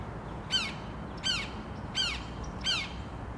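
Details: Red-shouldered hawk on 25 February 2023 giving four shrill, squeaky, down-slurred calls, one roughly every 0.7 seconds, over a low background rumble.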